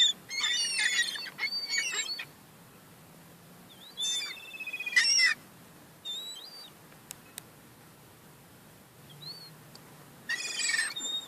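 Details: Young gulls fighting over crumbs make bursts of harsh, buzzy squealing with wavering whistled notes, separated by short quiet gaps and an occasional sharp click.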